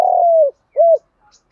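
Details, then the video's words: Decoy spotted dove cooing to call and lure wild doves: a long, steady, low coo that dips at the end, followed after a short pause by a second, shorter arched coo. The background is otherwise quiet. "chim cu mồi gáy gọi và thúc, tiếng cu đất luyện mồi và mồi hiệu quả"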